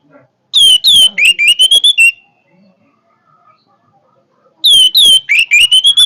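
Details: Orange-headed thrush giving a powerful song twice: each phrase opens with descending whistles and moves into rapid bright notes rising in pitch, with a pause of about two and a half seconds between phrases.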